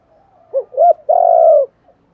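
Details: Spotted dove calling phrase for attracting wild doves: a quick pair of upswept notes, then a long, steady coo that fades at the end.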